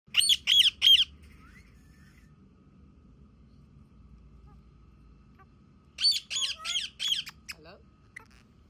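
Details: A pet Indian ringneck parakeet talking in the morning, copying its owner's words, gives three quick, harsh, high-pitched bursts, then after a long pause a run of five more, squawky and word-like.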